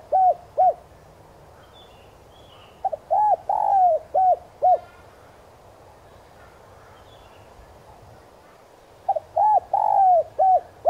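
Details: Cooing spotted dove kept as a decoy to excite wild doves, in the standard 'son' voice; mellow phrases of five to six notes, including a long sliding coo, repeat with pauses of several seconds between.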